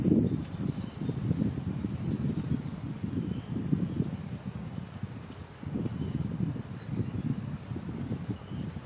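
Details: Brown-billed Scythebill in the morning in cloud forest at 1900 m, Boquete, Panama, giving thin, very high, descending whistled notes, roughly one per second, over a steady low rumble of wind and forest noise.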